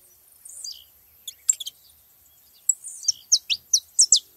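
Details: Saffron finches gathered at a feeding spot; scattered faint high chips, then a run of loud, sharp, downward-sweeping notes about every quarter second near the end.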